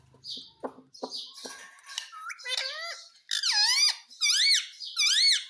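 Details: Indian ringneck parakeet, a pet bird, talking "mummy mummy": soft scratchy chatter first, then three loud, clear, voice-like phrases with dipping and rising pitch, each about half a second, growing stronger toward the end.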